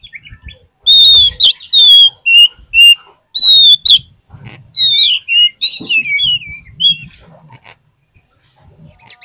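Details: Oriental magpie-robin (kacer) singing for a lure meant to rouse quiet magpie-robins: a sequence of loud, clear, rich whistles repeated in quick succession, then rapid varied warbling notes trailing off.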